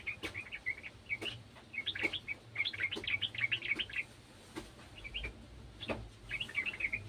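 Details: Sooty-headed bulbul joining another bulbul's song, giving clustered groups of bubbly, quickly repeated notes in several phrases separated by short gaps and occasional sharp clicks.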